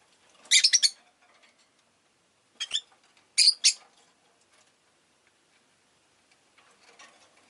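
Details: Pet Rosy-faced lovebirds, a flock chirping fairly well that day, produce a rapid run of four sharp chirps, then a pair and another pair of piercing notes, fading to soft twitters.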